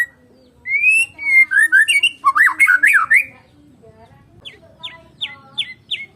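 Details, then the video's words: Medan white-rumped shama singing without an opponent: a clear rising whistle, then loud tumbling, warbled phrases, fading into a series of softer, sharp repeated notes. "KICAUAN BURUNG MURAI BATU MEDAN TANPA LAWAN"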